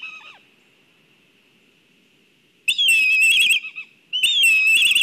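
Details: Black kites at a nest in Kurzeme, Latvia, showing excitement. A long, faint, steady whistle is followed by two loud bursts of shrill, quavering whinnying calls.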